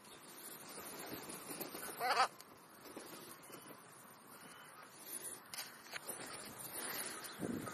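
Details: Crow calling while feeding at a midday snack; a single harsh, harmonic caw near two seconds stands out against a quiet, hissy outdoor background.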